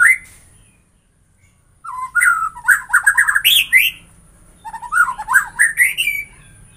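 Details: White-rumped shama giving rich, varied song. A brief whistle opens it, followed by quick runs of fluty, swooping notes mixed with sharp, high chips, delivered in two loud bursts separated by a short gap.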